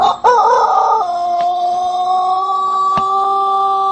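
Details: Strange-sounding call of a Bangkok chicken: a wavering, warbling start that settles into a long, steady, tonal drawn-out note held for about three seconds, with faint clicks.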